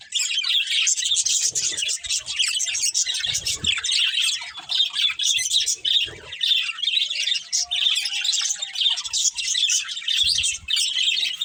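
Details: Pet budgerigars, a breeding pair kept as a family, chirp and chatter nonstop in a small room: dense, scratchy warbling and squawky notes packed high in pitch, with brief low knocks now and then.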